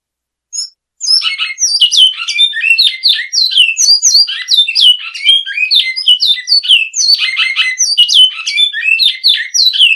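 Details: Great-billed seed finch (Oryzoborus maximiliani) in classic song style, a continuous fast run of sharp high whistled notes and chirpy phrases after a brief opening note, clean with no other sounds.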